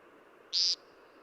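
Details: American Woodcock in Newfoundland gives its peent call, typically uttered just after dusk: one short, harsh, nasal buzzy 'peent' a quarter-second long, high-pitched and flat, over a faint background hiss.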